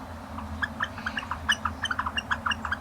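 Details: Northern flicker giving the squeaky wicka call used when flickers are close to one another: quick squeaky notes, about four per second, rising and falling slightly, with a low hum underneath.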